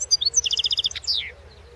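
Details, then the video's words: Short burst of European goldfinch song, a competition entry at the 2016 world goldfinch song championship: a fast, even series of about ten high chirps, then a falling buzzy slur, very clean. "Pesma štiglića"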